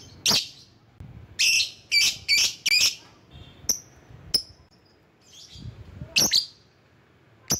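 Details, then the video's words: Lovebird used to call rival birds, giving a burst of loud, harsh, high chirps in quick groups, then scattered sharp single notes and a brief pause. "Burung LOVEBIRD Ampuh memanggil lawan"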